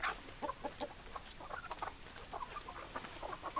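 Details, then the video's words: Chicken sounds from a flock of hens and roosters: many overlapping short clucks, irregular and busy, with a few brief higher notes over constant hiss. "Chicken Sounds Noises Hens Clucking Roosters Crowing"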